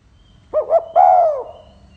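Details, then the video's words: Spotted dove cooing in the 'pha kim' voice style: two short, rounded coos followed by one long, drawn-out coo that falls slowly in pitch, against a quiet background. "Tiếng chim cu gáy giọng pha kim"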